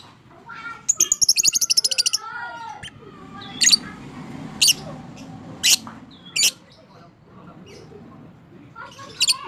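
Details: Fighter lovebird in long ngekek, a therapy sound to rouse silent lovebirds: a rapid rattling chatter of about a dozen clicks over one second, followed by scattered sharp single squawks at irregular intervals.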